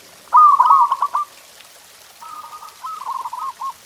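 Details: Zebra dove song used to get pet doves singing: one loud rapid bubbling trill, a pause, then a quieter, softer run of stuttered coo notes.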